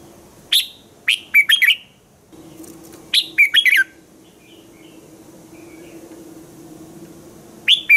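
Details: A red-whiskered bulbul's morning song, used for training other bulbuls, with three short chirpy whistled phrases, a few faint soft notes between them, and a steady low hum in the background.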